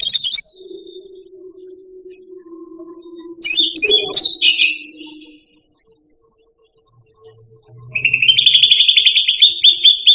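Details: Indonesian grassbird (cucak rante) song for tutoring pet birds: high whistles over a steady low tone, a jumbled whistled burst, near silence, then a long rapid even trill.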